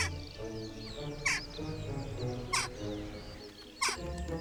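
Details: Western jackdaw (Coloeus monedula) contact call played back from a recording in a field experiment, telling wild jackdaws the person is a friend, not a threat: three short, sharp 'chak' calls about 1.3 seconds apart over soft background music.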